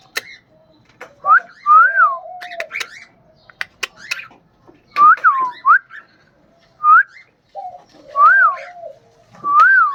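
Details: Repeated arched whistles from a pet cockatiel, rising and falling in short phrases roughly every one to two seconds, with a few lower wavering notes and frequent sharp clicks between them.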